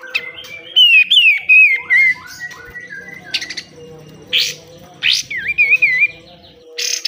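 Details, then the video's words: Pied triller, a caged-bird training recording in besetan style: whistled notes sliding downward, interrupted by sharp harsh bursts and short rising whistles, with a faint steady background hum. "DAHSYAT sekali BESETAN KATEM, kapas tembak gacor, BUNYI KAPAS TEMBAK"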